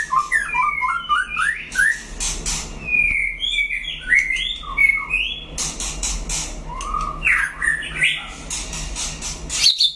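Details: White-rumped shama in a singing duel with a rival. Bursts of chattering notes and clear whistled slurs follow one another with short gaps, ending on a sharp high note.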